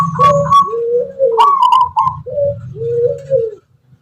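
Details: Zebra dove, local Tangguh Tuban type, noted for a distinctive rhythmic, melodic voice. It gives a phrase of high quavering coos alternating with lower, drawn-out rolling notes, several in a row, over a soft low hum.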